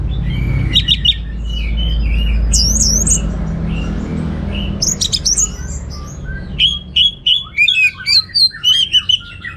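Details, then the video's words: Orange-headed thrush singing actively with a rich, varied repertoire: scattered high chirps and whistled slurs over a low rumble, then a quick run of bright, clipped notes repeated rapidly toward the end. "Suara Gacor Burung Anis Merah Teler Materi Melimpah 100% Jernih"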